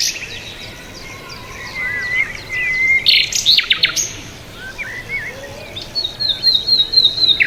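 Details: A lively bird chorus of slurred whistles and dense chips, with a loud burst of clicks midway and a steady stuttering high trill near the end.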